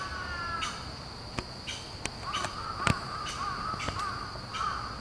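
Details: A Japanese green woodpecker gives a run of short, harsh, evenly spaced call notes; recorded at Inokashira on 7 September 2013.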